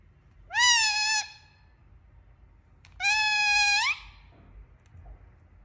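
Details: Talking parrot making two separate nasal, harmonic calls about two seconds apart. The first is level and the second rises sharply at its end. The background is quiet apart from faint low hum.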